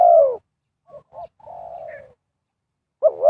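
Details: Spotted dove decoy luring wild birds: the tail of a loud falling coo, two brief soft notes, an even, gently falling coo, a short pause, then a doubled throaty note.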